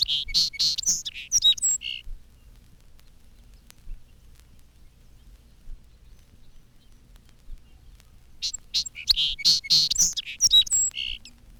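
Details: A Song Sparrow sings from roadside bushes in spring, on a 1954 Cornell recording: two bright, enthusiastic songs separated by silence, each opening with clear introductory notes and breaking into a burry, buzzy trill.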